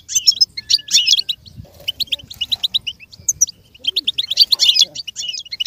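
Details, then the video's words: Goldfinch song used to teach other goldfinches to imitate sounds: lively strings of high, rapid twitters and tinkling chirps in two long phrases, separated by a brief quieter pause. "With stimulation for the goldfinch to learn and imitate sounds"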